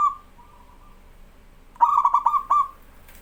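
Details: Local zebra dove, kept as a tutor for other birds, ends a faint coo then gives a loud phrase of fast pulsed notes settling into a sustained tone.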